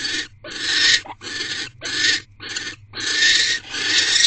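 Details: Wild barn owl pair in a nest box, evening of 17 January 2024; the male delivers a rodent before mating. Rasping, breathy hisses come in six or seven long bursts with short pauses between them.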